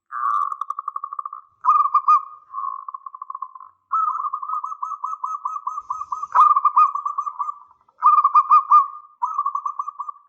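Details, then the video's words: Zebra dove of local stock singing loudly as a lure for replies: a near-continuous series of rolling trilled coo phrases with brief breaks and one sharp click midway. "Perkutut lokal GACOR suara besar"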